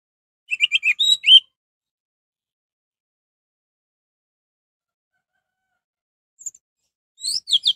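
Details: Orange-headed thrush in full song, used to provoke other orange-headed thrushes into singing: a quick burst of sharp, varied whistled notes and twitters near the start, a short chirp later, then another rapid whistled phrase at the end, with silence between.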